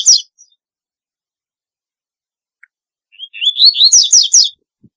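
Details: Double-collared seedeater delivering its very distinctive song: the end of a phrase, a pause of about three seconds, then one complete phrase of short rising notes that quickens into a burst of high, sweeping chirps.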